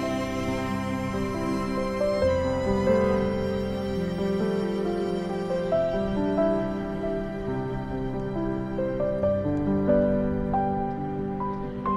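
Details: Slow, sustained instrumental music with layered string-like tones plays throughout, with no animal sounds audible.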